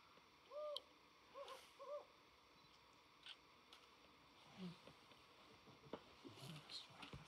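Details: A Desert Owl at night in a starlit wadi in Oman, November 2024, gives three soft, mid-pitched hoots, one alone then a close pair, with faint clicks, a low thump and possible distant voices.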